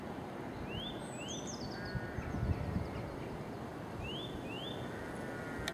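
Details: Nuthatch calls as paired rising whistles, first near the start and again toward the end, with high descending chips from another bird in between and a loud low rumble underneath.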